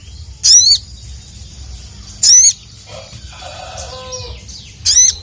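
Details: ["Sooty-headed bulbul calling to draw rival males: three loud, brief, high 'cuit' notes with long pauses between, plus a faint lower warbling phrase in the middle, over a steady low hum."]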